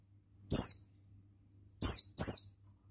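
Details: Male Oriental white-eye of the buxtoni form gives three thin, high, downslurred notes, one alone then a close pair about a second later, with no other sounds; used as a lure to stimulate other white-eyes to sing.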